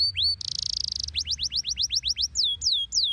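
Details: A canary singing, meant to set other canaries singing in reply: two quick upsweeps, a dense buzzing rattle, then a run of rising whistled slurs and a few falling sweeps.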